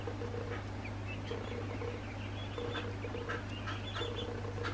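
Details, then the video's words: Bobwhite quail chicks aged two weeks call continuously with soft, high, thin peeping notes, several birds overlapping, over a steady low droning hum and light clicking. "Bobwhite quail chicks, two weeks old"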